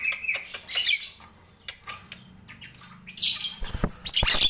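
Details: Nias hill myna heard in the morning: scattered loud squawks and sharp whistles separated by quieter gaps, with a clicking background between the bursts.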